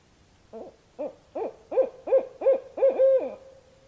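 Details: Barred owl hooting: a series of about seven rich, arching hoots near the same low pitch, growing louder, the last one drawn out and sliding downward at the end; quiet background.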